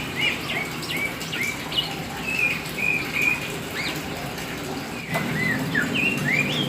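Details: Black Oriental magpie-robin singing energetically: a run of bright whistles, upslurred notes and quick chirps delivered about three per second, with a dull bump partway through and steady background noise.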